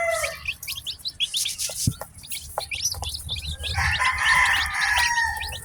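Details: Chorus of newly hatched chicks: many quick, high peeps that dip in pitch and overlap irregularly, with a louder, sustained harsh adult chicken call joining in the second half.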